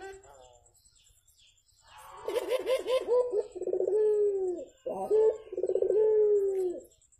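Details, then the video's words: Javan turtle dove in the morning: a quick series of rising wavering notes followed by two long, purring, downward-sliding coos separated by a short clipped note; quiet otherwise. "BURUNG PUTER GACOR , TEMAN NGOPI PAGI HARI BIKIN ADEM SUASANA"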